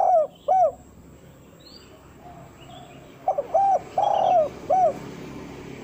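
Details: Spotted dove calling to lure wild doves, with a distinctive pokal style of calling to females plus pressing and measuring notes: short arched coos in pairs early, then a later group of four with one long drawn note, over faint background hiss.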